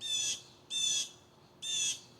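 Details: Blue jays aggressively defending their area, possibly a nest, against a bird the owner thinks is a peregrine falcon: three harsh, buzzy, high jay calls, each about a third of a second long, under a second apart.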